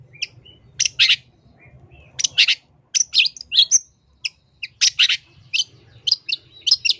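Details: Long-tailed shrike in energetic full song packed with mimicked fills, used as a training and lure recording: bursts of harsh buzzy notes and sharp chirps in short clusters separated by brief pauses, with a faint low hum beneath.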